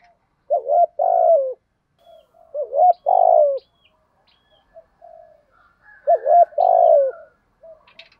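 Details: Spotted dove giving urging coos in the local "thổ" voice style, used to lure and train doves: three separate low, mellow coo phrases, each a short upturned note followed by a longer, sliding hoot. Faint chirps sound between the phrases.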